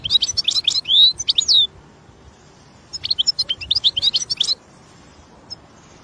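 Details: European goldfinch singing outdoors in the wild: a quick medley of sharp chirps and upswept whistled notes, a pause, then another burst of twittering, ending with a single soft note.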